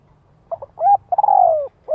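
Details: Calling spotted dove, a decoy luring wild doves in giọng hạp style: quick soft introductory notes, a rising coo, then a long wavering coo falling gently in pitch, followed by the start of another coo.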